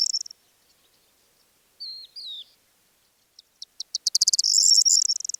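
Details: Corn bunting sings in steppe on the outskirts of Divnoye village, Manych, northern Stavropol, early morning of 21 April 2024: a few ticking notes speeding into a jangling, high, glassy chirr, after a brief thin whistled phrase from another bird.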